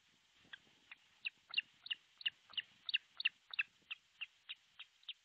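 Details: Osprey at a rebuilt artificial nest in Pohjois Satakunta, Finland, nest cam, 6 July 2023 around 12.31; steady rapid string of high, slightly disyllabic whistles, about three per second, loudest in the middle.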